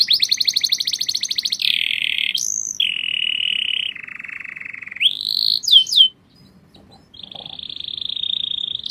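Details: Canary song with a fast pulsing trill, a sudden high note, then successively lower rolling trills, a rising sweep and sharp chirps, a short silence, and a steady high trill to close.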